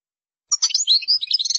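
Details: European goldfinch, qdara song style, one short, hurried phrase of high chirps and tinkling notes beginning after a brief silence.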